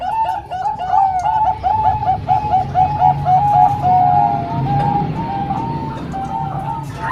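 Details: Three Bangkok-type zebra doves and one local bird combined: dense overlapping coos ripple rapidly at first, then slow into longer drawn-out notes, over a steady low hum.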